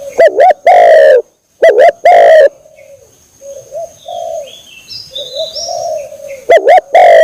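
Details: Spotted dove call played as a lure to bring doves close. Loud, harsh-edged double coos and long coos open and close the clip. Between them come softer cooing and faint high chirps from other birds.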